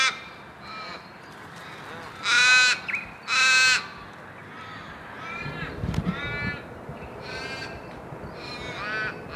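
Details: Crows from a flock give two loud, harsh caws close together, each about half a second long, then softer, more distant cawing from other birds follows against a low background rumble.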